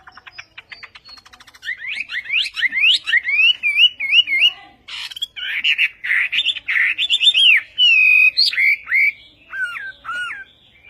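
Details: Chinese hwamei song in the Vietnamese style: a soft rapid chatter, then loud, wavy whistled phrases, rising and falling, ending in separate sharp downslurred whistles.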